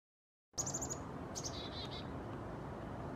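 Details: A black-capped chickadee, recorded August–October 2020, gives a quick burst of thin, very high chips, then a few lower, slightly falling notes, over a steady low rumble of wind or distant traffic.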